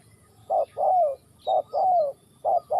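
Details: Close spotted dove from Ninh Thuận: three loud phrases, each a short coo then a long, slightly falling coo, with a faint high bird note in the background.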